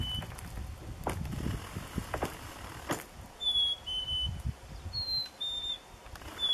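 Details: Chickadees by a frozen lake in Nevis, Minnesota, on a 1-degree winter morning: pure two-note whistles, a higher note sliding to a slightly lower one, repeated a few times over low booming and creaking cracks of lake ice.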